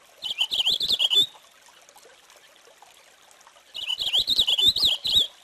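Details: Two bursts of Purple finch song, each a rapid, liquid warble of jumbled up-and-down notes lasting about a second, with a quiet pause of roughly two and a half seconds between them.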